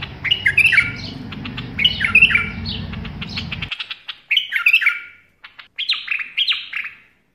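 A bulbul gives bubbly, chattering phrases that swoop up and down, in bursts every second or so. A low hum runs beneath the first half.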